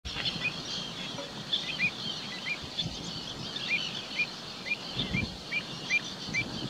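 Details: Kentish plover at Kinburn: short, high, thin clipped notes repeated roughly every half second over steady wind or surf noise.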